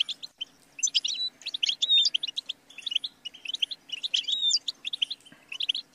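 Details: Goldfinch song with lively twittering phrases and several clear whistled slurs, fast and tinkling, pausing briefly between bursts, above a low steady hum.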